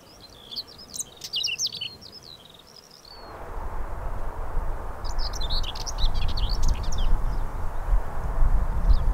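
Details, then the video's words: Whinchat song: two short, hurried phrases of scratchy, chattering notes mixed with brief whistles, with a pause between them, over a steady low rumble of wind or distant traffic. "Pokląskwa śpiew"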